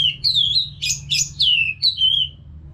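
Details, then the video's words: Orange-headed thrush training song for caged birds: a continuous run of loud, slurred whistles wavering up and down, broken by a few harsh, buzzy notes. "ANIS MERAH GACOR TIADA HENTI TANPA NGETEM BAGUS BUAT TERAPI BURUNG AGAR IKUT NGEPLONG NYAUT"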